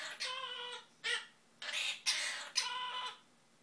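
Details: A pet monk (Quaker) parakeet sings in raspy, tuneful phrases, copying human melodies such as "Zip-a-Dee-Doo-Dah" and the SpongeBob theme in short bursts. It learned them after hearing a video played.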